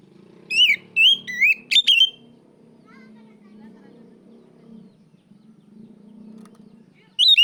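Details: Calling out a rival, an Oriental magpie-robin gives a quick burst of about five loud whistled phrases, then a long quiet stretch with low background murmur before another phrase begins.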